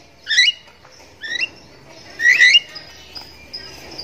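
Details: Javan myna in the morning giving three rising, slurred whistled phrases, the last the loudest, followed by a faint thin whistle.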